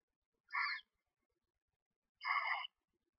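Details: Screech owl nest box with a female feeding two newly hatched owlets, one to two days old. Two short, harsh, raspy bursts are heard about two seconds apart, with quiet between them.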